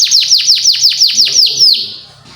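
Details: Canary song meant to teach young canaries. Nine bright, high notes each swoop sharply downward in a steady rhythm. The notes slow slightly toward the end, then fade.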